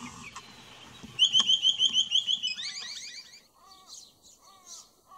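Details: In an Australian backyard garden, a noisy miner gives a fast, even burst of shrill, piping notes. Lower, slurred calls and faint high twitters follow as the burst fades.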